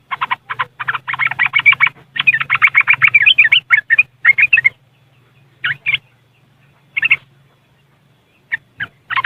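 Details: Trucuk, the yellow-vented bulbul, recorded on an Android phone in West Java, Indonesia: a long, rapid run of rattling, bubbling riwikan notes for about five seconds, then scattered short chirps, with a low hum underneath.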